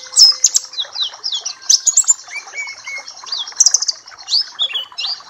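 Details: Papua black-capped white-eye song for tutoring: clear, high slurred whistles and sharp chips in short separated phrases, with a few lower whistled notes in between.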